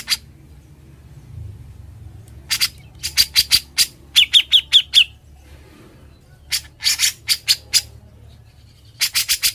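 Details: Grey-cheeked bulbul in lively ngebren singing, recorded for training other birds: scattered harsh, clipped notes in short groups, with a brief run of four quick descending chirps in the middle.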